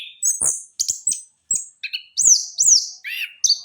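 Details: Orange-headed thrush, trotol variety, used for training as a lure: lively song of clear, sweeping whistles that rise then fall, mixed with buzzy chips and short trills, about two to three phrases per second.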